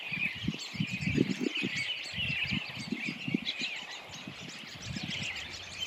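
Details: A flock of 40–50 or more American Robins in a small northwest Minnesota ghost town in early April, snow falling, feeding on apples; a dense chorus of overlapping high chirps and clucks over a soft wind rumble.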